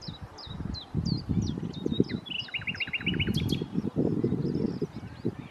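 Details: Nightingale singing at Challow Hill, Corfe, on 4 May 2015. Crisp downslurred whistles repeat in a series, then a rapid run of short stuttering notes, over heavy low rumbling noise.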